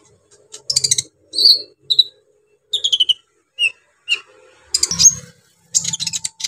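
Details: Brown-throated sunbird song played to rile up trainee sunbirds: spaced clusters of high squeaky chips and short descending whistled notes, separated by brief gaps, with a few soft low thuds beneath.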